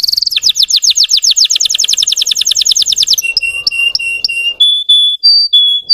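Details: Russian canary song used to stir up and provoke untrained canaries: a rapid trill of repeated descending high sweeps for three seconds, then steady clear whistled notes alternating between two pitches.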